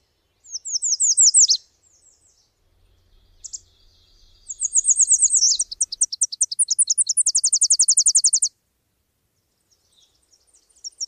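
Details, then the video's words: Very high, thin Subalpine warbler (Sylvia cantillans) song: a scratchy opening phrase, then a long, evenly spaced trill of rapid ticking notes lasting several seconds, with quiet gaps between phrases. "Canto da AveToutinegra carrasqueira (Sylvia cantillans)"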